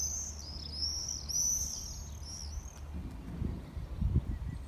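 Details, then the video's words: Summer-visiting common swifts scream while scything through the air, shrill high drawn-out screeches in a rapid run for the first three seconds, then fading away, leaving low rumble and a few soft thumps. "Swifts | Gwennol Ddu"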